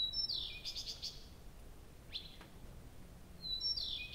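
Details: Night song of a nightingale at Abramtsevo in early June, taped from 23:00 on 6 June 2021: a rapid burst of high whistles and rattling notes, a pause with one thin rising sweep, then another whistled phrase.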